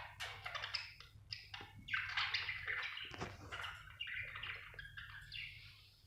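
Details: Budgie chirping continuously: dense, raspy warbling chatter of rapid irregular chirps with brief pauses, one louder click-like burst midway, over a faint constant low hum.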